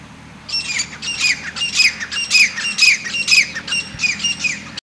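Grey francolin giving loud, harsh, squawking notes, repeated about twice a second in a rapid, ringing series against a faint low rumble.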